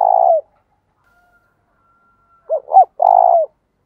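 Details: Decoy spotted dove giving its coo to draw wild doves into calling: a long coo ending, a pause, then two clipped hoots and a sustained, gently falling coo.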